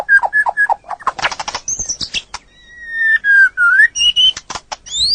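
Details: White-rumped shama song on a training recording for birds: three quick mellow whistles, a rattling burst, then long pure whistles at different pitches, one held steady and falling, ending in high rising slurs.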